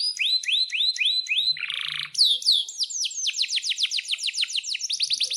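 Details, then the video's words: Canary singing vigorously with sharp chirps, meant to coax young or silent canaries to sing: five rising whistled notes, a short buzzy trill, then a long fast series of sweeping descending chirps. "suara kenari gacor panjang"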